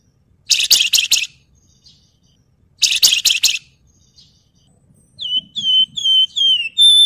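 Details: Javan fulvetta (wergan jawa) performing nyuling and ngebren song for use as a master track: two loud harsh chattering bursts a couple of seconds apart, followed by a run of sharp, falling whistled notes.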